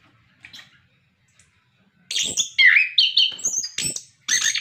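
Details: Orange-headed thrush song used to encourage captive birds to sing: faint notes, then after two seconds a loud phrase of slurred whistles and harsh clicks.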